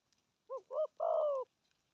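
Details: Spotted dove with its 'thổ âm' tone, giving a single phrase of urging 'gù thúc' coo: two short wavering notes, then one long, smooth coo that slides gently downward.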